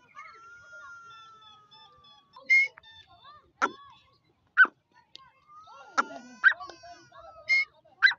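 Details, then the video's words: A kept female Dakni Irani grey francolin from a breeding pair calls in breeding season with loud, abrupt, grating bursts at uneven intervals, among long thin whistles and chirps from other birds. "Dakni Teeter ki Awaz| Dakni Madi teeter ki Awaz"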